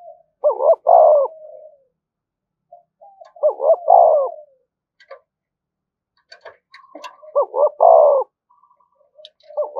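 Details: ['Spotted dove used as a decoy, calling continuously to stir other doves to fight; three soft throaty coo phrases of short stuttered notes ending in a fuller coo, with faint clicks and rustling between them.']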